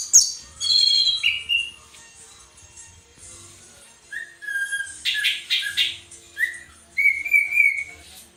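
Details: Caged orange-headed thrush kept for training other birds sings varied phrases: high descending whistles, a sliding note near the start, then bursts of rapid rich notes and sustained trilled whistles in the second half, with gaps between phrases.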